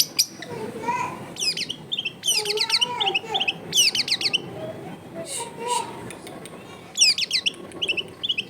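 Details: Long-tailed shrike singing in a home recording from a crowded residential area, used to provoke a quiet bird into singing. Scattered bursts of high, twisting chattered notes and short trills, separated by pauses, with people talking in the background.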